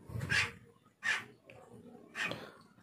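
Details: Common hill myna imitating human speech, saying 'Assalamualaikum' and 'Bapak ada tamu' (Sir, there is a guest) indoors: three short, bright, voice-like bursts about one second apart, harsh and breathy, quiet between.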